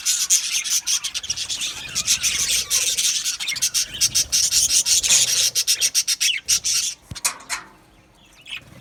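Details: Aviary colony of Australian budgerigars filling the air with continuous rasping, high-pitched chatter, dense overlapping scratchy warbles that give way to quick separate chirps before falling silent near the end.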